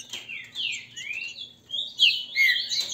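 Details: Caged green-winged saltators sing against each other in Brazil to provoke song; long sweeping whistles glide up and down, then sharper downslurred notes.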